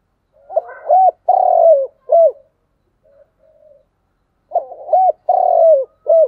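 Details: Spotted dove in 'thúc gù' calling: two full phrases of low coos, each two short notes, a long falling coo and a clipped final note, separated by a quiet pause with faint murmurs.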